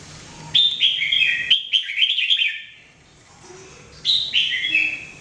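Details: Red-whiskered bulbul, known locally as jambul, singing daily for training: a long cascade of fluty, descending warbled phrases, then a pause and a shorter similar phrase, clear and loud.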